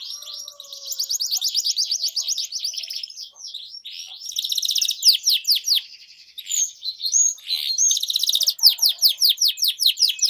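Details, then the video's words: Continuous canary song to get quiet canaries singing again, mixing rapid rolling trills with sharp downward-swept notes, varying in loudness across the phrase. "Kenari Gacor Menuntun Kenari Macet Jadi Bunyi Kembali"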